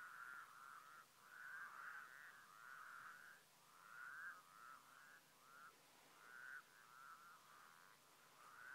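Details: White-naped crane calling in Mongolia in 2015, a long sequence of resonant, trumpeting notes, some run together in pairs, others spaced about a second apart, over a quiet, steady background.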